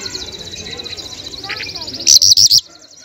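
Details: Lunda lark of the Mashadi jal type from Afghanistan singing fully: a continuous high buzzy trill runs throughout, broken near the end by four loud harsh bursts, then fading to quiet.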